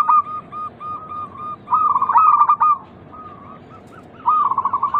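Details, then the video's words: Local zebra dove used as a lure to provoke other doves into cooing. It gives a low, mellow coo phrase, then rolling trilled bursts, pauses, and resumes with a fast stuttering coo series. "pancingan terampuh untuk merangsang bunyi burung perkutut lokal"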